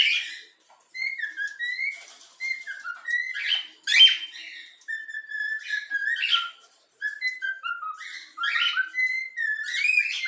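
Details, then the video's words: Pet yellow-cheek cockatiel chick whistling the Flamengo anthem it was taught: a long run of pure whistled notes stepping up and down, with quick rising slides and brief breaks between phrases. "Bochecha amarela cantando o hino do flamengo"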